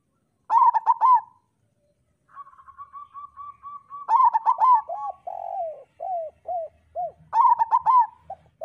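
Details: Local zebra dove singing as a master for training other doves: a quick staccato cluster, a steady thin held tone, then rapid notes running into buzzy trills and separate bowed coos, and another staccato burst near the end.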